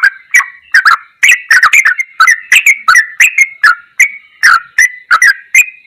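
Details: Lively ropelan goklikan song of a yellow-vented bulbul, clustered bubbling whistles and clicks, quick runs broken by brief pauses.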